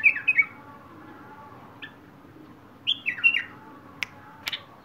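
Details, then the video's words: Wild bulbul singing: short bursts of bright, slurred descending whistled notes at about 0.3 and 3 seconds, separated by quiet gaps, with a few sharp clicks near the end. "تغريد بلبل وحشي"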